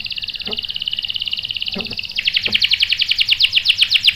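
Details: Canary song played as a lure to stir other canaries into answering rolls: a rapid, steady high trill that switches about halfway into louder, slower, wider pulsed notes repeated evenly, with faint low taps.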